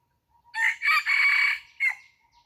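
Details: Harsh crow from a red junglefowl decoy set out to attract wild junglefowl, four-parted with a prolonged raspy middle section and a brief detached last note; a faint distant call sounds before and after.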